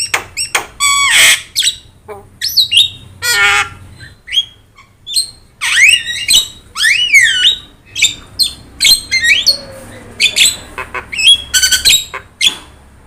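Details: Yellow-eyed Javan myna in full, active song, recorded as a training tape for other birds: harsh rasping squawks mixed with sharp whistled notes that sweep up and down, delivered in quick irregular bursts with brief pauses.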